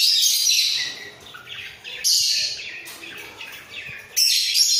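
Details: Caged breeding pair of budgerigars warbling as they bob their heads; rasping, twittery chatter comes in uneven bursts, with quieter murmuring between the loud phrases.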